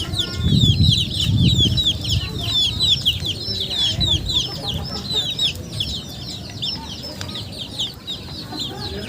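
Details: Chickens peeping in a busy, overlapping chorus of high falling notes, with low thuds or handling noises early on and a constant low rumble.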